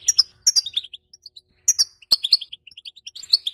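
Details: Female European goldfinch, calling to stimulate males to mate: tinkling twitter phrases of quick high chirps and softer rolling notes, with a sharp click midway.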